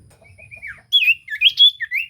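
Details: Common iora song used to provoke a silent bird into singing: soft high notes, then loud whistled phrases of slurred, rising and falling notes.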